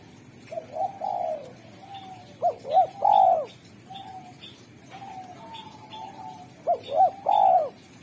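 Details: Spotted dove (derkuku) in strong singing form, praised for a sharp, clear, melodious voice that calls in wild doves: two loud phrases of two short swooping coos and a longer rolling coo, with softer coos from other doves between.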